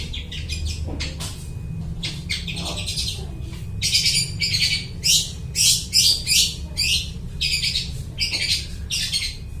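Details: Long-tailed shrike singing loudly and imitating other birds, a recording used as a lure for catching birds: harsh, scratchy bursts that turn into a fast rhythmic series of loud rasping notes about twice a second, over a steady low hum.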